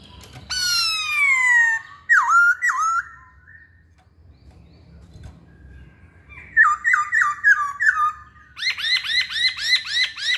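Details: Masked laughingthrush singing actively: a long descending squawk, then twisting whistled notes. Later come clusters of quick repeated slurred whistles, ending in a fast run of arched notes.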